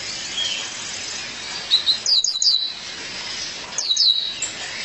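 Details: Female violaceous euphonia calling her partner: faint thin notes leading into clusters of bright, high downslurred chips, repeated after a pause of roughly two seconds.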